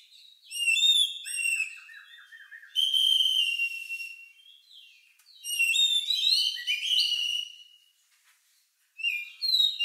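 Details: Unusual Oriental magpie-robin song, described as lovebird-like and used to draw out singing from other birds: loud sustained whistles and rapid trilled runs in long bursts, broken by pauses.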